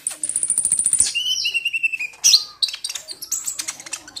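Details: Sunda pygmy woodpecker, kolibri ninja, lure call meant to start singing: a rapid high buzzy trill for one second, then a falling whistled series, followed by scattered sharp chirps.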